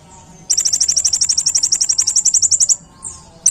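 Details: Olive-backed sunbird, called kolibri ninja, in a masteran recording: after faint quiet, a loud two-second run of rapid, evenly spaced, very high metallic chips, followed by a few thin squeaky notes.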